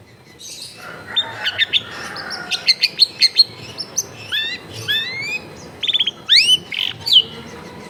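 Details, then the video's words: Long-tailed shrike singing a lively full song packed with mimicked phrases, recorded at home in a crowded neighbourhood: scattered sharp high chirps, clipped whistles and quick rising slurred sweeps, varied and irregular throughout. "CENDET GACOR FULL ISIAN MEWAH"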